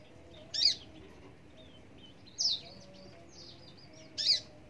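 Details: Parva bushlark singing three loud, rasping high bursts spaced roughly two seconds apart, with faint thin whistled notes between them.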